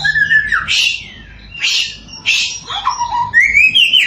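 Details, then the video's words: Samyong singing as a lure to provoke other samyong birds; loud harsh bursts alternate with clear downslurred and rising whistles, with short gaps between phrases. "Burung 1001 Suara SAMYONG GACOR, Bikin Samyong Lain Emosi & Ikut Gacor.."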